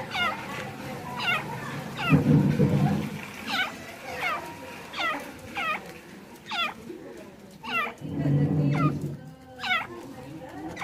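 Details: Francolin, a bird being tamed, giving loud harsh looping calls repeated about every second, with bursts of human voices in between.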